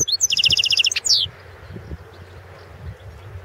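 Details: Goldfinch of the Balkan form in a 2016 world song championship entry; a fast, even buzzy trill of about a dozen repeated notes ends in a quick downward whistle, followed by quiet background noise.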